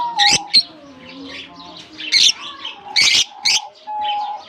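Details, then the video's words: Colony of lovebirds newly released in summer in Germany: loud, shrill chirps in short clusters separated by brief pauses, over a softer level whistled note. "Japan lovebirds release in colony season off come to summer 🌞 off season bird good chirping sound"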